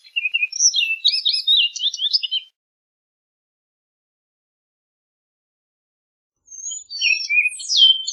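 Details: Orchard oriole singing: a rapid jumble of high, varied whistled and chattering notes lasting over two seconds, a pause of about four seconds, then a second burst of quick slurred phrases.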